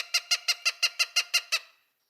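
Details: An adult Cooper's Hawk gives a quick run of nine harsh, nasal kek notes, about six per second, even in pitch and loudness, a call given near its nest in springtime.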